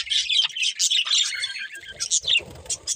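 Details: Several budgies chirping in a busy, scratchy warble of rapid high twitters and squeaks with almost no pause.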